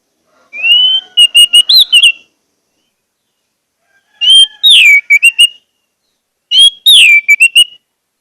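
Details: Orange-headed thrush song played to encourage caged thrushes: three similar phrases spaced about three seconds apart, each a rising whistle, a falling slur and a quick string of chirps.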